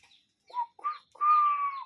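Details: Cuckoo calling in nature: three harsh, arched notes, the last one long and drawn out, with faint high chirps from other birds at the start.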